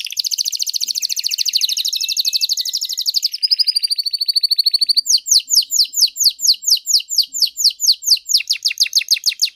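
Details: Canary, one of three master singers, in clean song: dense buzzy trill, a quick whistled series, then loud sweeping notes repeated about five times per second.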